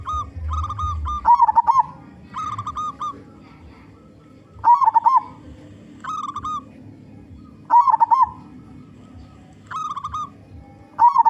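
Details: Loud local zebra dove, big-voiced, singing to lure other zebra doves: repeated phrases of a few short coos ending in a warbled, rolling coo, several times, spaced a few seconds apart, quiet background.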